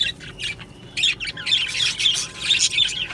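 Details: Happy budgerigars in an aviary trade quick clusters of bright chirps and short whistled notes, starting sparse and then building into a rapid chattering run.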